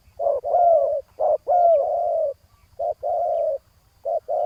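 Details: Spotted doves cooing as a rival is lured toward a decoy on the ground: doubled notes, a short one then a longer husky one with a bright curved onset, repeated in steady groups.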